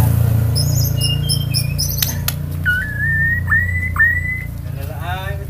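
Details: Magpie-robin singing: a few high, thin whistled notes at the start, then a sustained, slightly rising clear whistle repeated over a steady low hum.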